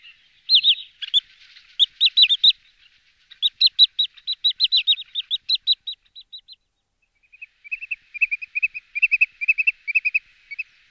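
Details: Wood sandpiper sending out long bouts of clear, high, clipped whistles in quick succession, pausing briefly, then a softer, lower run of evenly spaced notes toward the end.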